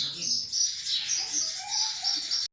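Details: Two sparrows in a fight give a continuous, high, twittering chatter of fast chirps that stops abruptly, with faint lower tones beneath.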